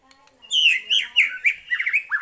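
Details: White-rumped shama reacting to a lure recording with a burst of loud, rich whistles mixed with scratchy high overtones and quick slurred phrases.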